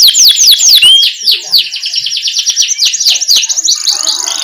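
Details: Energetic canary rolling song, a tutor recording for young canaries; begins with a run of quick downslurred swept notes, then slides into a fast, high, chattering twitter.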